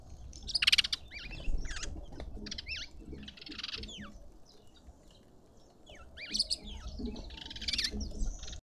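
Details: Green wood hoopoe filmed close up in a South African suburban garden in Pretoria: clusters of harsh, scratchy cackling notes in uneven bursts, mixed with softer chirps and steady low background noise.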